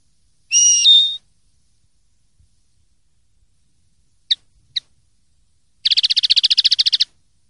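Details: Clean 'limpio' linnet song, silvestrismo 2023/2024: a drawn-out whistled note that steps down in pitch, a pause, two short sharp chips, then a rapid, even, buzzy trill lasting over a second.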